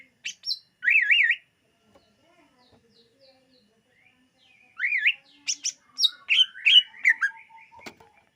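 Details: Greater green leafbird singing to lure birds: a wavy warbled trill after a few chips, a quiet gap, then a jumble of rising whistles, sharp notes and short buzzy phrases.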